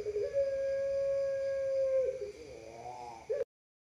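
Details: Pelung-style collared dove with a long song from a national champion strain: one extended level coo lasting about two seconds, easing downward, then a soft rising rolling warble and a brief final note before silence.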